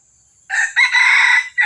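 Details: Lure recording of a red junglefowl from Johor: after a moment of quiet, a loud, raspy crow rises, breaks briefly, then runs on in a long, strained note before another phrase begins.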